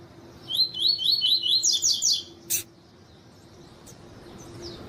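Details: Double-collared seedeater, tuí tuí song with a female calling to stimulate the male: a fast series of about eight bright, evenly spaced chirps, then a sharp click and quiet faint notes.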